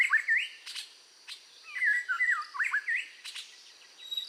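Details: Red-whiskered bulbul pushing its song during voice training to excite it: rapid, wavering, slurred whistles in loose clusters, punctuated by dry high ticks, over a faint hiss.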